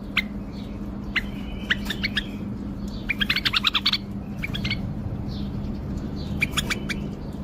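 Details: Tame male bulbul, Baghdad, Iraq, singing with wing flicks: scattered sharp chirps and clicks, then a burst of fast warbled notes around the middle, more chirps near the end, over a noisy background hum.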